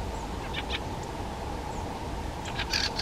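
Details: Fieldfare (Turdus pilaris) giving harsh, dry chacking calls in short bursts, a couple near the start and a louder cluster near the end, over a steady low rumble.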